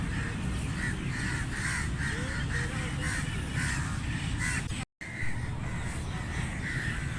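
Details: Series of harsh crow caws, broken by a brief silent dropout partway through, with steady low rumble underneath and a faint rising whistle in the middle.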